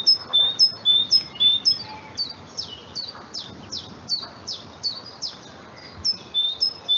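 A Great Tit sings a ringing two-note phrase, a high note dropping to a lower one, repeated about twice a second in a steady see-saw rhythm.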